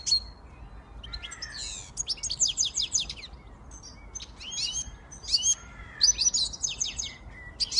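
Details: Siskin x goldfinch hybrid singing: bursts of fast, high twittering and buzzy trills with sliding whistled notes, separated by short pauses; quiet low background hum.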